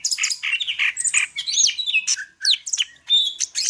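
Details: Medan greater green leafbird pouring out a rapid, varied song of whistles, chatter and quick rising slurs, closely packed over a few seconds.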